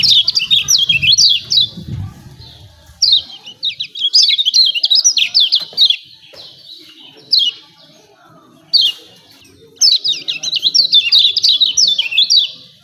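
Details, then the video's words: Kecial kuning, a lemon-bellied white-eye of Lombok, singing 'ciak ciak' to set off other birds: bursts of quick, high, slurred chirps, several seconds long, separated by short silences; a low rumble early on. "CIAK CIAK JOSS KECIAL KUNING AMPUH‼️PANCING JOS MASTERAN BIKIN GACOR"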